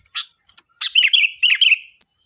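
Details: Sooty-headed bulbul, locally kutilang, a loud, ringing song used as a tutor for other birds: a short note, then a burst of bubbly, warbled phrases dropping and rising, over a steady high electronic whine.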